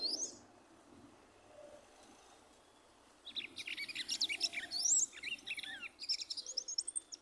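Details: A one-year, two-month-old female Red-cowled cardinal, turning in the nest and pulling straw, sings a run of quick, high chirps and slurred whistles for about four seconds after a quiet start. The song is said to stimulate males.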